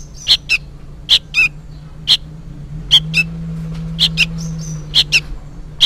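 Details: Young sooty-headed bulbul calls insistently, apparently for its parent: crisp high chips delivered in doublets roughly once a second, over a gentle low drone.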